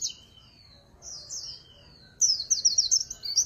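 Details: Swinhoe's white-eye in a noise-free recording: thin, high drawn-out whistles, then a loud, fast, tumbling twitter of sharp notes that runs to the end.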